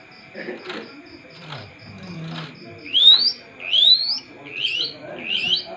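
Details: Long-tailed shrike in full, vigorous song: after a stretch of low human talk, a series of bright, rising whistled notes climbs in quick succession, each sweep slurring upward, over a steady background hum.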